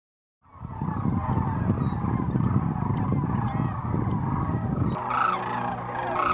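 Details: Thousands of wintering sandhill cranes returning to roost in the afternoon at Whitewater Draw, southeast Arizona, in 2010, after feeding in fields; a dense, continuous chorus of overlapping rolling calls over a low rumble of wind.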